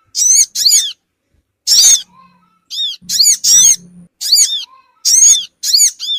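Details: Lure sound of the Sogon bird for attracting small birds: high, shrill, down-curving squeaks in quick doublets, with gaps between groups and a soft low buzz in the background.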